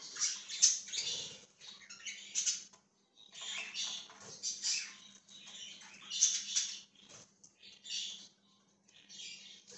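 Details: A budgerigar chatters on 1/20/2023 with rasping, buzzy warble phrases and bright chips, broken by brief silences around the third and seventh seconds, over a faint low electrical-sounding hum.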